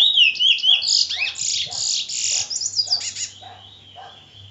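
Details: Trinidad bullfinch (chestnut-bellied seed-finch) giving a bright run of twittering, buzzy whistled notes in the first seconds, then trailing off into fainter, thinner notes over a low hum.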